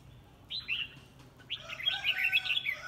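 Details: A red-whiskered bulbul in a singing contest gives a brief whistled note, then a longer, rich, bubbling warble of rapid chirps and slurs.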